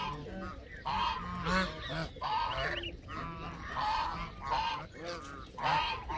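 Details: Canada goose giving loud, nasal honks in a steady series, roughly one per second, each call a rich harmonic blare with a slight upward inflection, over a low background rumble.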